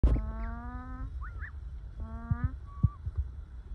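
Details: Ducks resting calmly in the sun make a contented, happy noise: two long nasal harmonic calls rising slightly in pitch, a few short higher whistled notes between them, and soft thumps and rustling below.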